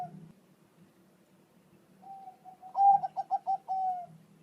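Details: Zebra dove, Bangkok variety, singing as a tutor recording to provoke a pet dove's reply: soft low murmuring at first, then a clear phrase of staccato coos ending in a long level coo.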